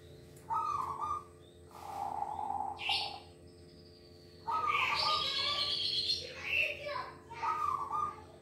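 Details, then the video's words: Caged silver-colour zebra dove singing: soft cooing phrases near one pitch, each about a second long, in four bursts with pauses, mixed with higher chirps and twitters from other birds. "PERKUTUT SILVER SUARA GACOR DAN MERDU"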